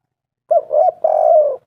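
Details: Lone spotted dove phrase from a lure recording to make doves call: a clipped first coo, a rounded middle note, then a long steady, slightly falling coo.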